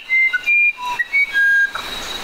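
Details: Musician wren delivering a quick run of pure whistled notes at varied pitches, some higher and some lower, ending in a faint hiss.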